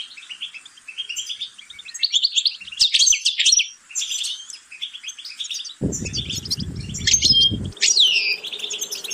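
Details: European goldfinch song used for training the bird toward varied vocal repetitions: rapid, dense twittering of high chirps and trills with sharp downward-sweeping notes, interrupted briefly by a low rumbling noise burst near the middle.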